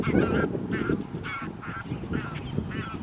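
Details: Wintering White-fronted Geese at Wimpole Hall, Cambridgeshire, in December 2020: a rapid sequence of about six overlapping, high, nasal yelping honks from several birds, over low rumbling noise.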